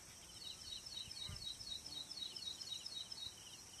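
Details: Ashy prinia (Prinia socialis) in singing mood in Manas National Park, giving a quick, even series of thin, high notes, about four a second, over a steady insect-like hiss.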